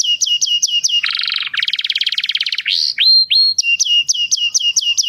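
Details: Canary in mating song for stimulating breeding birds; repeated clear whistled notes, a harsh buzzy trill and fast rolling rattle, then rising chirps and more repeated whistles.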